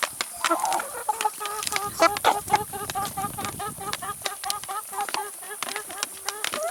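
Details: Chickens eating salad and vegetables, giving soft harmonic clucks repeated rapidly, about four a second, with scattered sharp pecking clicks throughout.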